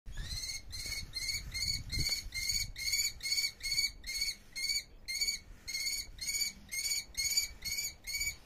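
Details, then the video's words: A bird of prey in Iran gives a long run of sharp, ringing kee notes, about two or three a second, steady in pitch, over a faint low rumble. "sound of birds of prey"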